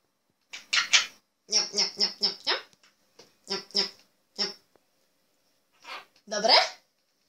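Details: A talking pet monk parakeet in Poland mimics human words such as "give it" and "good morning" in short, bright syllables, a rapid string of four, then pairs and singles, trading phrases with a person's voice.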